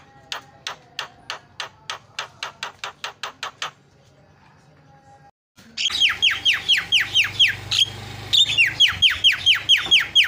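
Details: A starling sound used to stir silent starlings into singing: a steady row of sharp clicking notes, a short quiet gap, then a dense, loud run of rapid descending whistles over a low rumble.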